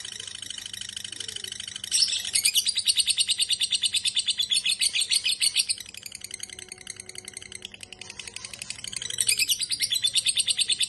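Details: A lovebird's ngekek: bursts of quick, piercing, rattling pulses, loud for several seconds, softer in between, then surging again near the end over a faint steady hum.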